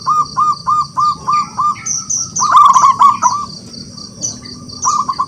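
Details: Local wild zebra dove calling rivals: a row of evenly spaced, clipped low coos, then a denser rolling burst, then more spaced notes. Other small birds chirp high above throughout.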